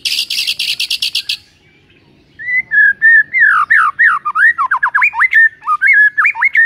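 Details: A white-rumped shama sings to provoke a sluggish bird. A brief run of buzzy pulses opens, then after a pause comes a loud, varied stream of whistled notes that swoop up and down.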